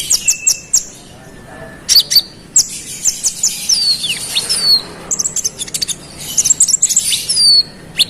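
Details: Konin singing to wind up rival konin: very high, thin twitters and descending whistled slurs, delivered in uneven bursts separated by short gaps.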